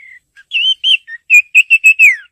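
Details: A female Oriental magpie-robin chirps to the male in a quick string of short, bright whistled notes, some slurred up, some down, ending in a falling note. No other sounds intrude.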